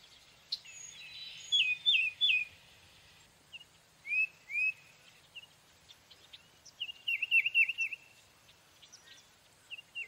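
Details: Tufted titmouse giving short runs of bright whistled, down-slurred notes, a quick burst near two seconds and another near seven, with scattered high chips and other faint birds between.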